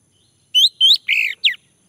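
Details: A male orange-headed thrush song phrase meant to prompt singing: two rising whistled slurs, then a harsher buzzy note and a final steeply falling whistle, all in quick succession with near-silent surroundings.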